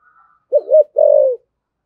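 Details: 'Thổ sấm' spotted dove in 'thúc gù' and calling-coo style: faint soft notes, then one low phrase of a quavering double note and a longer steady, slightly falling hoarse coo.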